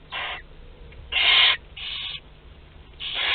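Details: Barn owl chicks between two and twelve days old during a group feeding at Théding, France, spring 2021: four breathy, hissing screeches, the second loudest and longest, separated by short pauses.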